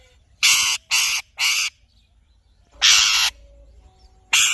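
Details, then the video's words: Alexandrine parakeet screeching in broad harsh bursts, three evenly spaced calls then two longer ones, loud and noisy with little tonal structure. "Alexandrine Parrot Chirping Sounds"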